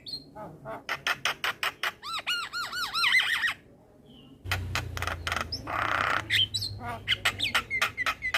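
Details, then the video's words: Adult male Javan myna song for tutoring a juvenile: a fast series of evenly repeated clicks running into arched squeaky notes, a short silence, then a harsh buzzy burst and more clicks and whistles. "Masteran Burung Jalak Muda Dengan Suara Jalak kebo Jantan Full isian"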